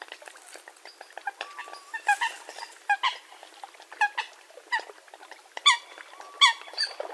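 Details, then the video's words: Eurasian coot giving sharp, nasal, clipped notes about every second over a low murmur of softer calls, with a faint whistled slur heard twice. "Eurasian Coot (Fulica atra) Real Hunting Call Sound"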